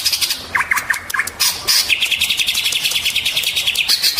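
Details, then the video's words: Oriental magpie-robin singing, used as a lure for other birds: a harsh, dense chattering passage with short downslurred notes early, then a long run of fast repeated high notes over a noisy hiss. "PANCINGAN SUARA BURUNG KACER GACOR SUARA NGEMPLONG PARAH"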